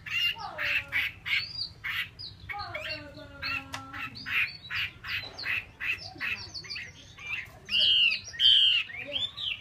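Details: A female Chinese hwamei calls in a steady run of short, rasping, noisy notes repeated more than once per second. A few louder, drawn-out harsh notes come near the end, and faint tonal sounds sit in the background.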